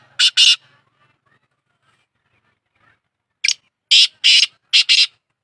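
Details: Harsh call of a black francolin: a short rasping doublet, a long quiet gap, then a phrase of about five loud grating notes in a stuttering, uneven pattern, with nothing else audible.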